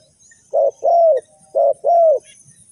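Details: Spotted dove voice used to lure birds into a trap: two paired phrases of a short hollow coo followed by a longer, slightly falling coo, clear and close against a quiet background.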